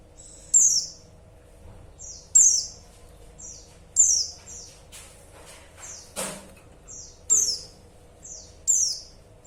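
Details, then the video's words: Female white-eye calling to the male: thin, very high-pitched notes, each a short downward-sliding chirp, repeated roughly every one and a half to two seconds, six calls in all, over quiet background hum. "Suara pleci betina"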